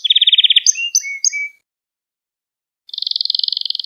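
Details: Canary training song: an opening rapid pulsed trill, short high notes with a low flat whistle beneath, over a second of silence, then another steady fast trill.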